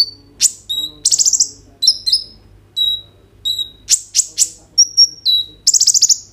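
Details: Kolibri ninja sunbird in full song, recorded on an Oppo A37f phone, used to coax other birds into singing: sharp high chirps, a descending whistle, and short rapid trills in bursts, with a faint low hum beneath.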